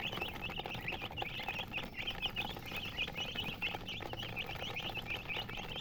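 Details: Colored hens chirping: quick, high-pitched peeps repeat without pause and overlap in a busy chorus, over constant low hiss and occasional clicks.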